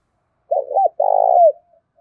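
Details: A spotted dove's fighting call, given as a lure in thổ pha style. Two brief, curling coo notes lead into a sustained, rattling coo that drops in pitch at its close. Faint soft murmurs follow.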